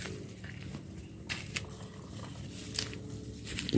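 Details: Crackling, crinkling handling noises and soft bumps over a low hum, with sharp scratchy bursts near 1.3, 2.8 and 3.7 seconds and no animal calls.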